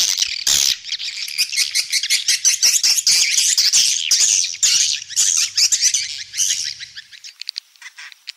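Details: Swiftlet roosting call for a three-storey swiftlet house, used to lure birds to roost: dense, high twittering chatter of rapid overlapping chirps and squeaky bursts, nearly continuous, fading into sparse clicks near the end.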